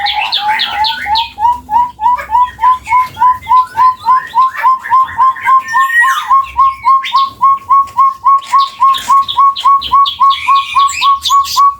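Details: Chestnut-bellied partridge, a Java endemic, giving a long call: a steady series of clear whistled notes, each slightly rising, repeated about three to four times per second throughout, with other birds chirping higher above.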